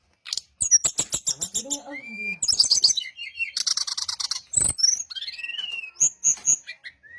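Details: Brown-chested jungle flycatcher singing as a lure for other individuals to respond: a fast ticking series, a lower rising whistle, dense buzzy chatter, then clear upslurred and downslurred whistles among sharp chips.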